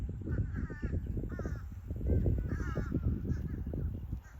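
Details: Limpkin in southwest Florida giving short, wavering nasal wails with rich overtones, several in quick succession, half-buried under a heavy low rumble of wind or handling noise.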